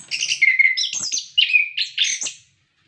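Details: Energetic orange-headed thrush song, a recording meant to coax caged birds into singing: sweet sliding whistles mixed with buzzy, scratchy notes in one continuous phrase lasting about two seconds.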